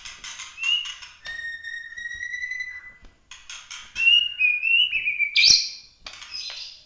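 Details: White-rumped shama of the original Bahorok line giving a competition-grade song with 'tembakan' bursts: sustained pure whistles, then quick slurred whistled notes broken by sharp harsh bursts, with short silent gaps between phrases.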